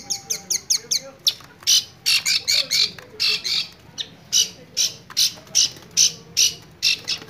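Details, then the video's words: A long-tailed shrike gives a run of harsh, rasping, high notes, about two or three each second, in an uneven, scratchy chatter. "Burung Cendet Gacor"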